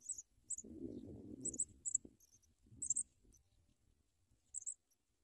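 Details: Sprague's pipit chicks as a parent brings them big worms: short, thin, very high chirps come in scattered pairs against low rustling and shuffling from the nest.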